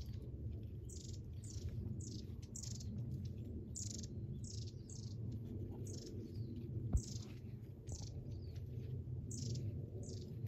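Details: Various wild birds inside a dense thicket give thin, high chirps in quick bursts, roughly two each second, over a steady low rumble of wind or distant traffic.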